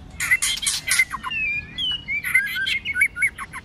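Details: White-rumped shama singing hard in fighting song during the cold season: a cluster of raspy broadband bursts, then smooth drawn-out whistles, a sliding phrase and fresh scratchy notes with quick chips.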